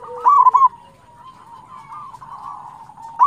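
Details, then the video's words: Local zebra dove song used to coax other doves into singing: a loud burst of quick coos at the start, then long soft overlapping coos, and a final loud note cut off at the end. "PANCINGAN PERKUTUT LOKAL GACOR"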